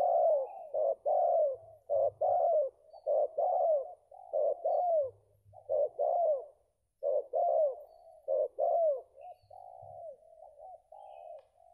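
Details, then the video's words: Belah rotan coo of a spotted dove, not yet fully re-feathered after moulting: low, pulsing coos repeated in quick rhythmic groups, with faint low thumps in the background. "Mantap sedotan nya untuk BB sekelas ajaran, Ranking no. 2 BB belah rotan"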